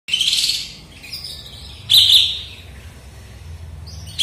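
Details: A sooty-headed bulbul, just finished moulting and back in full song after having stopped singing, sings in three bright, chattering bursts, each under a second long, with quiet pauses between them.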